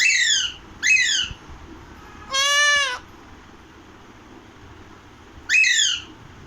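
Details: Alexandrine parakeet, known locally as the Pahadi parrot, uttering two short falling screeches, then a drawn-out arched raspy squawk, and another falling screech after a pause.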